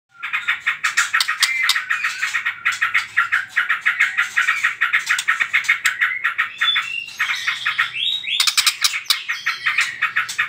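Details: White-rumped shama in trotol-style lure song, used to provoke other birds to sing: rapid stuttering notes repeated about three times a second, with brief whistled slurs breaking in near the end.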